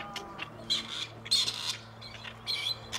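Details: Quieter grey partridge calling at Tullow, where two wild males released before have come back looking for females. A few hoarse rasping bursts sound, some closely paired, over a faint hum.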